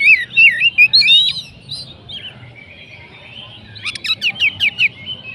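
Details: Oriental magpie-robin (kacer) singing in the "kacer macet" style: loud looping whistled warbles around the start, a quieter drawn-out whistle in the middle, then a fast series of sharp clipped notes, about six in a row.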